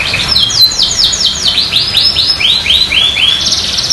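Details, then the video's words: Canary in full song, played to prompt reluctant canaries to sing back: a loud series of high whistled sweeps dropping and rising in pitch, ending in a bright trill, over a steady low hiss. "Pancingan kenari gacor agar kenari malas bunyi ikut nyaut"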